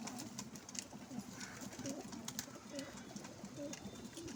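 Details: Several pigeons at a window, among them grey, black and white birds, utter short, deep cooing notes repeated roughly every second over a steady background hum and occasional sharp clicks.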